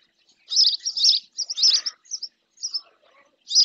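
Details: Female spotless starling bathing in a lagoon near its nest in the El Rocío marshes, Doñana National Park, Andalusia, Spain, filmed by a fixed camera: bursts of high, scratchy chirps in quick clusters, then short pauses and further chirps.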